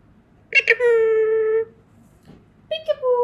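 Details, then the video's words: A pet Indian ringneck parakeet talks indoors, saying "peekaboo" in a clear, voice-like tone. A drawn-out syllable is held for about a second, then after a pause a shorter falling phrase follows. "So Amazing Talking Parrot | #peekaboo"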